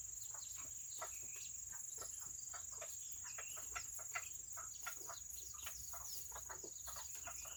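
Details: Tiny Serama chickens on a rainy Saturday produce a dense stream of brief clucks and thin chirps, several birds overlapping at a fast, uneven rate, accompanied by an unbroken high-pitched hum.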